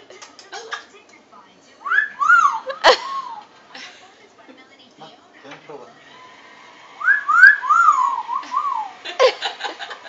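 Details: Pet talking parrot indoors gives two bursts of whistled, wavering notes rising and falling around the middle range, mixed with chattering sounds, while a person speaks softly.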